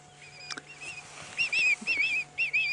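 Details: Recorded Hooded Vulture call played back quietly near hooded vultures on a safari sunset drive: thin, squeaky whistled notes wavering up and down in short bursts about every half second, over a low hum.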